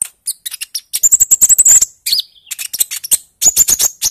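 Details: Bali myna chorus recording, early-stage 'ijoan trotol' style, used as a lure to make birds sing: dense rapid high chirping with a trilled whistle run in the middle, overlapping calls throughout.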